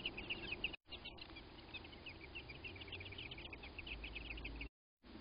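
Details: An American robin couple reacting to a crow attacking their nest: a quick run of clipped, high chipping notes repeated many times per second, broken by short gaps, against low background noise.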